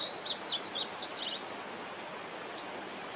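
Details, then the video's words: A young painted bunting sings a brief, fast phrase of bright, high slurred notes and twitters lasting just over a second, followed by near silence with one faint note, against constant soft hiss. "Juvenile Painted Bunting singing."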